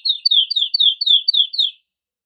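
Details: Male canary singing excitedly to stimulate female and male canaries to mate, delivering seven quick, high, descending chirps in a row before falling silent.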